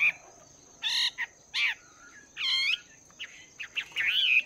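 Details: Chinese hwamei, caught wild and caged for two months, in morning song practice: separated loud harsh, harmonic-rich notes and a few short whistles, ending in a warbled rising phrase.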